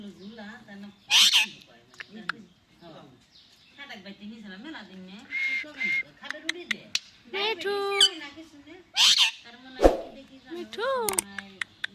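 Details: Indian ringneck parakeet talking: a run of speech-like phrases in a scratchy voice mixed with sharp whistles, some rising and some falling, broken by brief pauses.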